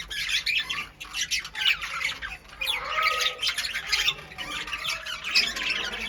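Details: Pet budgerigars in a new cage chatter steadily with dense, scratchy, high-pitched chirps and warbles that shift constantly while they play and interact.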